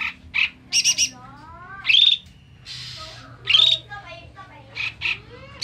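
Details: Bulbul, known locally as koto or cucak mini, in an agitated, angry song used as a lure for trapping stressed birds: harsh buzzy bursts and squawks with short rising whistled slurs, irregular, with a steady low hum beneath.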